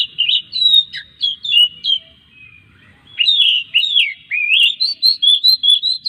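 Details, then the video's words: Song of an Oriental magpie-robin played to encourage other magpie-robins to sing: dense bursts of sweet whistles and downward slurs, a short quiet pause, then a sustained stream of rising, looping whistled notes. "masteran suara kacer buat mancing kacer lain supaya gacor setiap hari"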